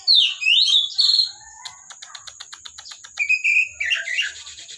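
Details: Oriental magpie-robin (kacer), a kept bird: loud swooping whistles open, followed by a run of fast dry clicks about three per second, then a high buzzy note and scratchy twittering; constant high background tone.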